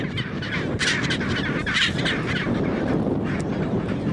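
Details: Chinstrap penguins mating in Antarctica; loud harsh braying calls overlap continuously from many birds, with a dense colony roar throughout and no clear pauses.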